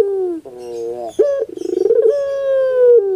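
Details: Pelung cooing of a Barbary dove meant to coax a silent bird into song: a low coo, a quick upward jump, a fast pulsing rattle, then one long steady coo easing down in pitch.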